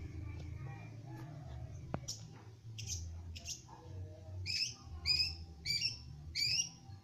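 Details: Young long-tailed shrike starting to sing: scattered faint scratchy notes, then four loud, harsh, buzzy notes repeated about every 0.6 seconds, over a steady low hum.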